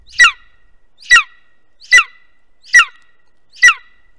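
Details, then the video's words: At a nest filmed by webcam in Estonia in 2021, a golden eagle gives strident, rasping yelps, five in sequence at a regular pace just under a second apart, with a quiet background. "Golden Eagle Webcam Nest 2021 - Беркуты. Эстония."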